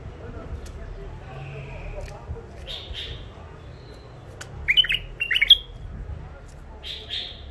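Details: Caged bulbuls, wild-caught near Mandali in Iraq and newly isolated, utter brief warbled notes, then a cluster of sharp, bubbling chirps around the middle, with one more phrase near the end over faint room noise.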